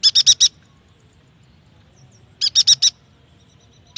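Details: Yuhina song played to prompt young or silent birds into song: two tight groups of four rapid buzzy high notes about two seconds apart, with another note starting at the end.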